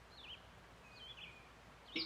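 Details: Red-eyed Vireo, one of the common birds heard around a yard in July 2020, singing two short, slurred, whistled phrases about a second apart, faint against steady outdoor background noise, with a brief louder note at the end.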